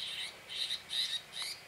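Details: Red-whiskered bulbul during decoy trapping: three loud, clear whistled notes in quick succession, each about a quarter second long, strong and close.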